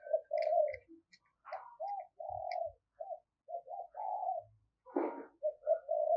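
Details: Decoy spotted dove calling vigorously: a run of low mellow coos in short groups, with a few clicks, knocks and one brief harsh burst mixed among them.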